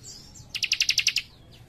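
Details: Young cikrak firing off a tight trill: a thin sliding whistle, then eight quick, evenly spaced high double notes in about three-quarters of a second, followed by a faint descending whistle.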